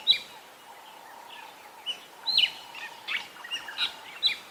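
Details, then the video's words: Fork-tailed drongos calling on a morning safari near a drainage line on 16 January 2022: sharp, metallic, twanging notes at an irregular pace, mixed with other bird chirps and a steady insect drone. "So I wanted to just sit here for a little bit and listen, because there are some beautiful fork-tailed drongos calling."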